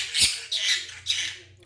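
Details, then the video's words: Pet conure, a talking parrot, attempting to say "ice cream please" in Korean, not very close to the words: three harsh, raspy squawk-like syllables, the first loudest, in quick succession indoors. "말하는 코뉴어 앵무새 코니 - 별로 안 비슷하지만 아이스크림 주세요."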